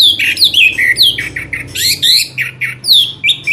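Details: Orange-headed thrush singing in the loud 'ngeplong' style, used as a lure to make birds sing: a varied stream of clear whistled notes, mostly down-slurred, each lasting a fraction of a second, with short gaps between.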